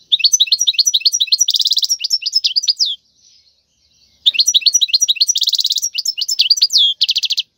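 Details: Wild European goldfinch song used for teaching young birds to sing: two bright, rapid phrases of high twittering notes with a dense buzzy trill in the middle of each, separated by a short pause.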